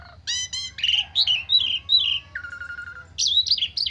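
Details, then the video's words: Asian pied starling in an agitated lure song full of fill-ins: two ringing harmonic notes, wavering whistled phrases, a low steady buzzy tone, then high twisting whistles at the end. "Pancingan Jalak Suren Stres Full isian 100% Nyaut"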